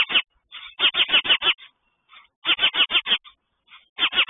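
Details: Territorial mother sparrow guarding a nest of chicks, another sparrow nest some 20-30 feet away; rapid series of five or six harsh chirps, a pause, then another burst, ending on a further short run.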